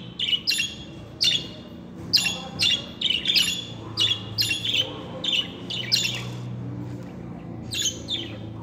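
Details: Talking pet budgerigars, male and female, give a run of scratchy, buzzy chirps and short squawks in irregular clusters, roughly one burst every half second, with a faint low electrical hum behind.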